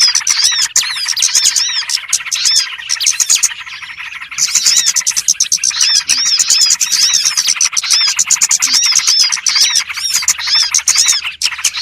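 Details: Continuous shrill chirping of many small birds used as a trapping lure, busy and rapid, easing to a thinner twitter briefly near the middle.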